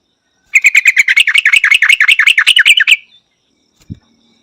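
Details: Yellow-vented bulbul song: a rapid run of about seventeen bubbly, liquid notes over two and a half seconds, each note bouncing in pitch, followed after a pause by a single low thud.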